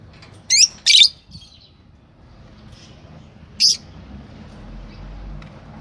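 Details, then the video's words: Yellow Fischer's lovebirds, a pair, with a couple of sharp high chirps early, one more later, and a quiet murmuring background. "Lovebird Singing & Chirping Sound – Yellow Fisher Pair"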